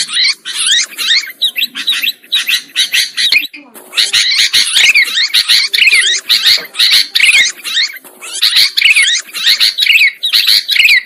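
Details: Sooty-headed bulbuls on a trapping lure track: noisy, overlapping chatter from several birds, with buzzy, sweeping notes in rapid runs and a short lull near the middle.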